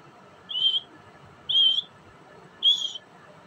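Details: Grey francolin (teetar), tagged as a female's voice in forest, giving three shrill, high whistled notes, each under half a second, about one per second, over a faint steady hiss.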